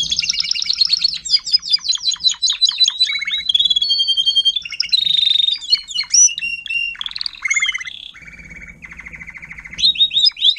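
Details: Timbrado canary song from an adult tutor singer teaching young canaries to sing, phase 4, 2021: rapid metallic trills, sustained whistled notes near mid-high pitch, buzzy rattling runs and abrupt shifts between tours, with a faint low hum underneath.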